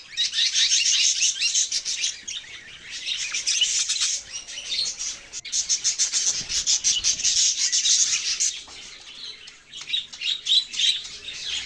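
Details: Budgie chatter with a raspy, scratching quality, made of fast pulsed chirps in long loud runs, dipping briefly midway before picking up again with sharp squeaks.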